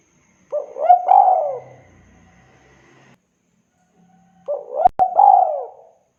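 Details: Spotted dove coo for luring: two phrases, each a quick rising note followed by a long arched coo, separated by quiet, with a faint low murmur and a brief click near the second phrase.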